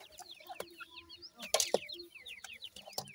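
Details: Chicks of the grey francolin give quick, high downslurred peeps in overlapping runs, broken by a few loud sharp taps and thumps near the middle.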